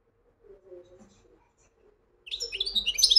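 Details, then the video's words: Widani-style song of a European goldfinch: after near silence with a low hum, a sudden run of quick, high, tinkling twitters and chirps begins and grows louder until the end. "مقنين ويداني"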